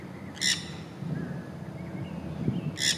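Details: Wild green parrots in Florida in springtime, six birds chattering and courting while sitting in the sun: two harsh, brief squawks about two and a half seconds apart over a low background rumble.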